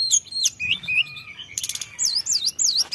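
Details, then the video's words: Sunda robin song used as a lure, full of fillers: sharp high slurred whistles, then a harsh buzzy burst, ending in looping rising-and-falling whistles repeated three times. "pancingan tledekan gunung full isian"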